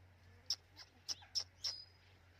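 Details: Hand-tame white pet ringneck parrot; a few short sharp high chirps and squeaks, spaced irregularly over two seconds, against a low steady hum.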